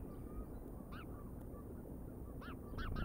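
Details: Wild bald eagles at Decorah, recorded by a live nature cam on 31 August 2022 at 16:07: short, arched, harmonic-rich notes, one early and then a quick series of three at the end, over steady low rumbling background noise.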